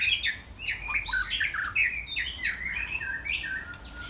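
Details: White-rumped shama in a Saturday afternoon song: fast, varied phrases of high swooping whistles and chips, tumbling notes packed closely with irregular spacing and no clear pause.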